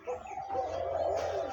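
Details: Captive decoy dove used for hunting on the ground, described as fearless with a thick voice, giving one drawn-out low hollow coo that holds steady for over a second.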